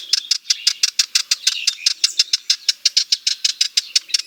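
A Sardinian warbler gives a dry, harsh rattling chatter, a rapid machine-gun run of scratchy ticks at about six per second, with no other sounds.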